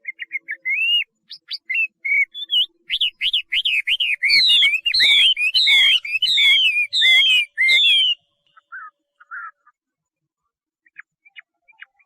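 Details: Chinese hwamei song: scattered whistles build into a long rapid series of loud looping whistled notes, repeated rhythmically for several seconds, then trailing off into soft sparse chirps.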